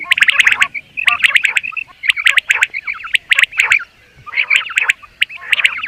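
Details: Common quail calling in short bursts of three or four sharp, clipped notes, repeated roughly once a second, with busy overlapping chatter and warbled notes from other birds between the bursts.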